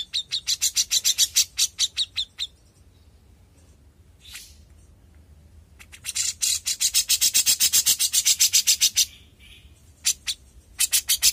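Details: Young grey-cheeked bulbul singing energetically: bursts of rapid, high, rattling chirps separated by quiet gaps, with one long dense burst lasting about three seconds before a final short flurry.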